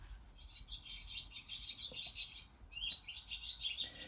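Barn Swallow giving a continuous, fast, high twitter, with bright chirps and scratchy notes run together for about four seconds over a faint low hum.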